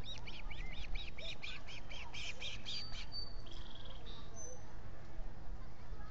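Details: Osprey at a nest in the Finger Lakes, US, recorded by a solar-powered nest camera on 19 July 2021 with three birds present; a quick run of about eight sharp whistled chirps over three seconds, then a few thinner notes, over steady low rumble.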